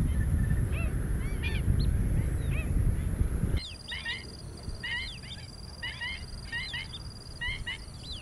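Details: Pied stilts in Malaysia in October 2021 give sharp, yelping kek notes in quick bursts, about three a second; a low rumble of wind covers the first half, then a thin steady whine.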